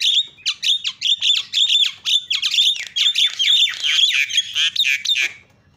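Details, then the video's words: Javan myna calls to make other mynas call, a steady rapid run of harsh, scratchy repeated notes, roughly four per second, fading at the end. "BIKIN JALAK KEBO JADI TERIAK"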